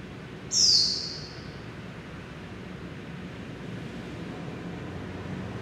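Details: Japanese white-eye trapped inside a building at Taipei Artist Village, Taiwan: one thin, very high, sharply descending whistled note, then only a low hiss and room rumble.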